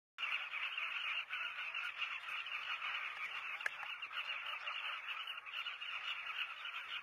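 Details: A breeding colony of southern carmine bee-eaters at South Luangwa National Park, Zambia, recorded from a hide, many birds giving throaty, rolling calls together in a steady, unbroken chattering roar.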